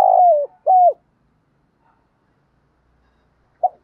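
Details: Decoy spotted dove calling at dawn to attract wild doves: one rough, falling coo followed by a clear level coo, then near silence and a single short note at the end.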